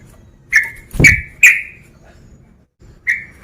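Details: Male sooty-headed bulbul calling to provoke a rival: sharp chirped notes with a bright upper ring, three close together, then a pause and two more; a low thump near the second note.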